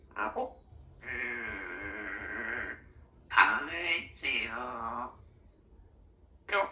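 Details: A female Congo African Grey Parrot, pet, chatting in human-like speech: a long drawn-out vowel-like phrase, then quick bursts of word-like sounds, in a quiet room.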